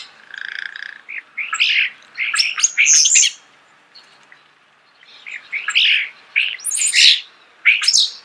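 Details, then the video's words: Starling singing at close range in a natural setting: a steady whistled tone opens, followed by a jumble of buzzy, chattering and squeaky notes in two bursts separated by a short pause. "The song of the starling"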